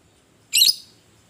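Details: Fighting-type lovebird, recorded to provoke other lovebirds: a single sharp, shrill squawk lasting about a quarter second, high and harsh, in an otherwise quiet room.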